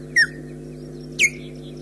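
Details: Osprey at the nest, recorded by a nest camera at Loch Garten, heard in two short, sharp descending chirps about one second apart, over a steady low electrical hum.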